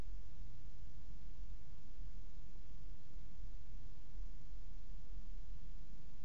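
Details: Steady low rumbling hum and faint hiss run throughout, with no animal calls heard.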